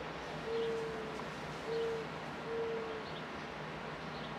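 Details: Mourning Dove calling outdoors under passing clouds: three soft, low, steady hooting coos spaced about a second apart. Faint high sparrow chirps sound in the background over a steady outdoor hiss.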